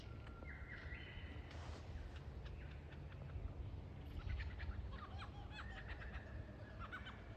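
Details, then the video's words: Lyrebird learning to sing and dance ahead of the mating season: steady whistled tones stepping upward, then a busy run of sharp clicks and short chirps over low background rumble. "Burungnya belajar bernyanyi dan menari sebelum musim kawin tiba, Lyrebird"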